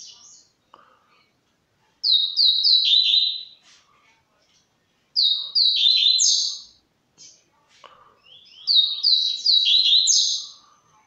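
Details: White-shinned bird starting to sing: three loud, high, buzzy phrases, each a cascade of short descending notes lasting about one and a half seconds, spaced roughly three seconds apart, with a few faint low chips between them.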